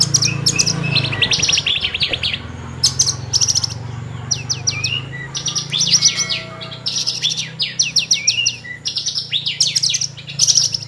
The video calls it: Burung branjangan gacor lagu mewah